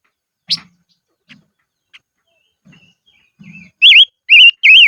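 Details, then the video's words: Highland decoy silver-eared mesia: a sharp click and soft knocks first, then three loud wavering whistled notes sung in fast succession at the end. "Chim Ngũ Sắc Mồi Hót Trên Vùng Cao Toj Siab Suab Noog Tsheeb Quaj"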